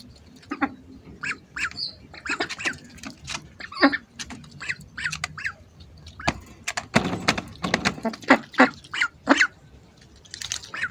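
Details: Several hungry ducks call close by with rapid, rasping quacks and squawks that come in clustered bursts. The calling grows denser and louder toward the middle, with scattered softer honks between.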